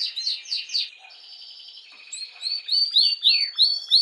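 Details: Canary song used to excite females for mating: quick descending sweeps, a sustained flat whistled note, then rapid repeated rising chirps that grow louder.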